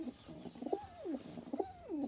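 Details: Indian Kaldom domestic pigeons on a pigeon farm, young birds among them; two clear coos, each a short stuttering note followed by a smooth falling, drawn-out glide, about one second apart.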